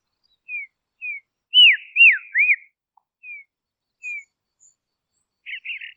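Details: Dusky robin from Tasmania, Australia, giving soft, thin down-slurred whistles, then a louder run of three looping whistled notes and a final pair of short chirps.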